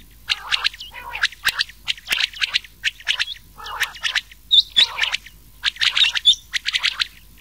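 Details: Mixed rain quail and old quail voices for summer night hunting: dense groups of sharp, ringing notes sit high in pitch, with short gaps between the groups and a few lower, rougher notes mixed in.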